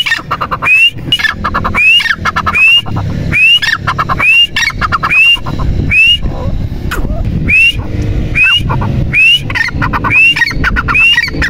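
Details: Partridge (teetar) calling persistently. Bright rising whistles alternate with dense rattling clucks in a loose rhythm of about 74 phrases a minute, over a steady low rumble.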